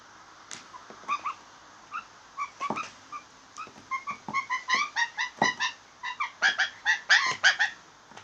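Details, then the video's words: Blue jays making funny sounds: a run of short, squeaky, harmonic notes that start sparse and irregular, then come faster and louder in a steady pulsing series, with light clicking sounds in between. "Blue Jays making funny sounds"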